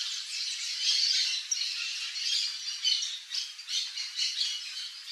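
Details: Male silver-beaked tanager (Ramphocelus carbo), a wild bird visiting backyard fruits in Brazil, giving a continuous run of high, harsh, scratchy squawks and chatters, pulsing irregularly over five seconds.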